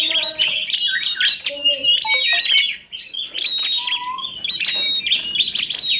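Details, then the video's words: Vigorous song from kacer, tledekan gunung and prenjak together: crowded high chirping and warbling, short stepped whistles, and a lower pure whistle around four seconds, continuous throughout. "TOP masteran kompilasi kacer,tledekan gunung dan prenjak,gacor dor"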